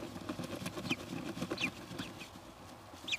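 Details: Kestrel at the nest while the third egg hatches, close up: several short, thin, downslurred high chirps scattered across a few seconds over a steady low rumbling hum.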